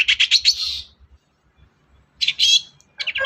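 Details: Long-tailed shrike, sound used to goad a quiet shrike into song: a rapid burst of harsh, scratchy chattering notes, a short silence, then two more grating chatter bursts.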